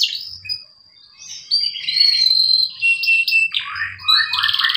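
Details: Canary singing, used as a lure for a bird that will not sing: high sustained whistles, warbled varied phrases, and a closing burst of quick buzzy notes.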